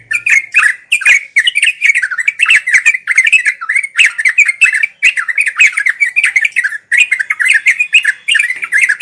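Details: Trucuk, the sooty-headed bulbul, in nonstop ngeropel singing meant as daily tutoring for young birds learning their song: dense run of short, liquid, wavering notes, barely pausing, with crisp clicks between phrases.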